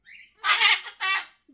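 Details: Pet umbrella cockatoo, apparently jealous and arguing with a sulphur-crested cockatoo while its owner holds the other bird, gives two loud, harsh, broadband squawks, the first longer, after a brief thinner whistled note.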